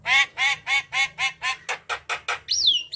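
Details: Javan myna in noisy, chatty song played to prompt lazy mynas to sing: a steady string of about ten harsh, nasal squawks, ending in a high, down-curving whistle.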